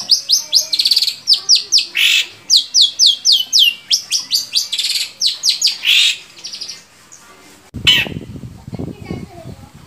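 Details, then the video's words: Long-tailed shrike song meant to prompt other shrikes to sing: loud, high, scratchy phrases in quick repeated pulses for six seconds, then a pause, one burst and a short rumble of handling noise. "SUARA BURUNG‼️Cendet mana aja yang gak mau gacor bila seperti ini"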